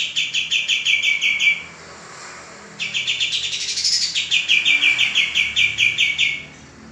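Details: Male common iora singing energetically, recorded as a training model for cage birds: a fast run of short, bright down-slurred chirps about three per second, a pause of about a second, then a scratchier phrase sliding into another even chirp series.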